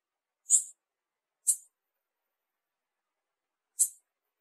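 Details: Female blue-black grassquit calling to excite the male: three short, very high chips, the first two about one second apart and the third after a longer pause, in an otherwise quiet recording.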